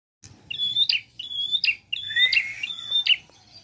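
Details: Prinia singing in a lively, varied 'gacor nembak' style: sharp ticks each followed by a long, high, level whistle, four phrases in under four seconds, with one lower rising whistle layered in.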